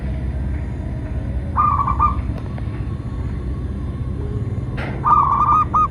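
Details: Zebra dove song used as a lure for training and trapping perkutut; two trilled coo phrases several seconds apart, the second ending in a separate note, over low steady hum.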